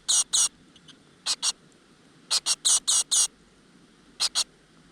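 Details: Great tit young in a rock-crevice nest fed by the mother: loud raspy begging bursts in short clusters of two to five, separated by quiet pauses.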